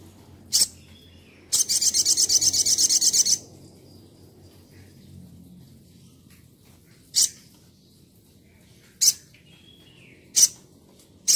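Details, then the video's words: Crimson Sunbird singing actively, recorded as a tutor track for training other birds: a sharp high chip, a fast buzzy trill of about twenty notes, then single high chips spaced a few seconds apart over low background hum. "Langsung nyaut Sogon gacor"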